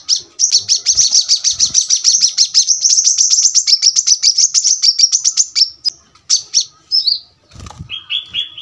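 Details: Long, dense trill of very high shrill notes from a brown-throated sunbird, tapering into scattered chips and lower whistled phrases toward the end, with a soft flutter sound.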